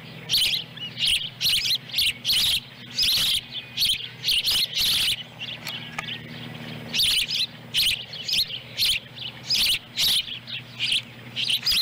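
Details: Osprey nest in Lolo, Montana, July 18, 2017: the female delivers a small fish and a chick swallows it whole. A long run of high, piercing chirps, evenly spaced about twice a second, with a brief quieter gap.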